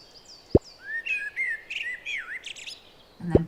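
A Common Blackbird sings a mellow, fluty warbled phrase that ends in a thin, squeaky twitter.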